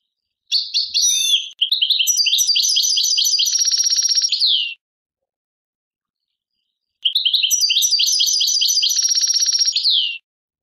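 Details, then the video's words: European goldfinch in the Tadmait song tradition of Algeria sings two extended phrases of high, rapid twittering mixed with dry rattles and a falling slurred note. A quiet gap of about two seconds separates them. "chardonneret chant tadmait"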